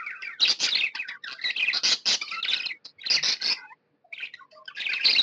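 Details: Happy pet budgerigar giving fast scratchy chatter and squeaky chirps, a few harsh squawk-like notes, a short pause, then another burst of warbling.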